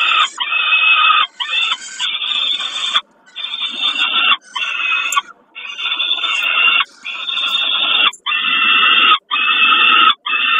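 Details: At Kawęczyn on 20 May 2022, a peregrine falcon calls during a snack: a steady series of loud, rasping, drawn-out wails, each roughly a second long, with short breaks between them.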